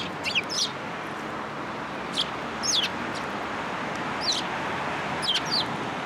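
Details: Sparrows at a plum-tree feeder at a Tenmangu shrine on 14 March 2023: scattered brief chirps, some with quick up-down twists, spaced about a second apart over a steady rumble of traffic-like noise.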